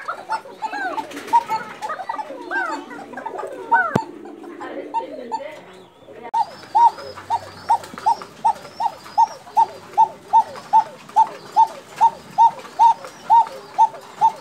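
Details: Female Bashiraj Koka pigeon, one of a new breeding pair, calling in Tangail, repeats a short, rising hoot about twice a second.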